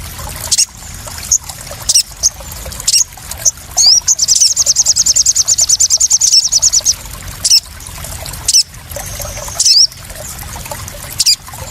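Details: ['Crested jay calls used as a lure to stimulate newly caught birds: thin, very high chirps and slurred notes, then a fast even trill of sharp ticking notes for about three seconds, with more scattered chirps after.']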